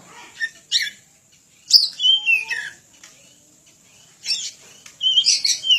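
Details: Oriental magpie-robin singing energetically for other birds to learn from: scattered short scratchy notes, then a loud phrase of descending whistles, a pause, and finally a dense burst of buzzy, rasping chatter.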